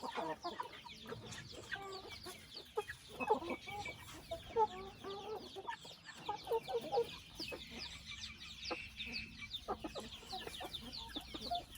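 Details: Chickens in a family house: short low clucks come in scattered bursts beneath a constant chorus of thin, high, downward-sliding peeps from many birds.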